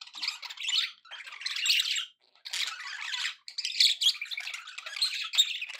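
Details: Budgerigars kept as pets chatter happily in several scratchy, high warbling bursts with short pauses between them.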